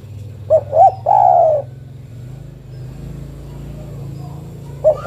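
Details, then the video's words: Female spotted dove calls a male with a full three-part coo: two short notes, then a long falling croon. A fresh phrase begins just as the recording ends, over a faint low hum. "Suara burung derkuku betina memanggil jantan"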